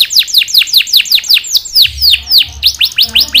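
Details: Gacor canary in full song, a long roll of loud, clear downward-sliding whistles repeated rapidly, nearly two per second, steady and ringing with no other sounds.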